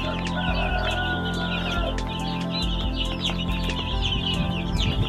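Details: Around 100 young chicks peep in a busy, overlapping chorus of short high chirps, with background music playing underneath.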